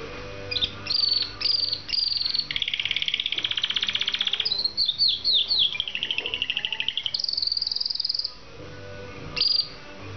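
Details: Canary song: a long, continuous run of rapid trilled and buzzy rolls at steady pitch, then descending whistled slurs and a high sustained trill, broken by short pauses, over a faint background hum.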